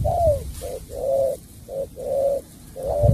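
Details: Spotted dove song of the bau bach de style, with mellow hollow coos in pairs, a brief clipped note then a drawn-out level or slightly falling coo, over soft low rumble.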